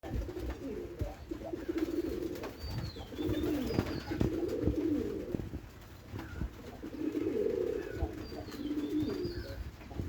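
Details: Three white pigeons kept in a loft, cooing: low, throaty rolling coos in long swelling phrases that rise and fall repeatedly, with faint thin whistles of other birds in the background.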